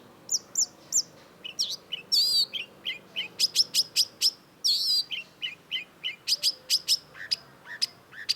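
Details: Long-tailed shrike, known as cendet, singing a fast, varied stream of sharp high chips, ringing whistled notes and occasional harsh, grating bursts, with a few lower slurred notes near the end.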